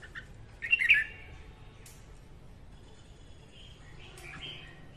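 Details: Female red-whiskered bulbul singing in the morning, a recording used to train birds to sing and to lure them to traps; a loud warbled whistled phrase near the start, then softer fluty notes later, with faint background hiss.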